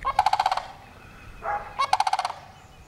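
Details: Rolling, guttural rattles from a sandhill crane: a rapid burst of pulses, a softer short croak, then another pulsed rattle, all within three seconds against quiet background.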